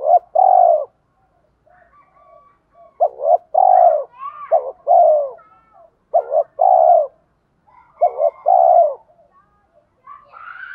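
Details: Spotted dove lure bird in thổ voice, cooing repeatedly in paired short and long falling notes, with higher chirps and twitters from other birds between phrases.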